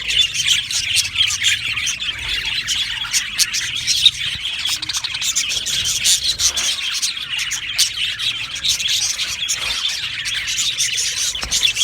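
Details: Aviary full of budgies, described as happy: nearly twelve seconds of unbroken, high-pitched chattering and chirping from the whole colony, with scattered sharper tweets and faint scratching noise.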